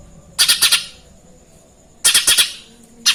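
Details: Two bursts of four harsh, rasping chirps from a lesser green leafbird imitating Eurasian tree sparrow, separated by a quiet gap of over a second.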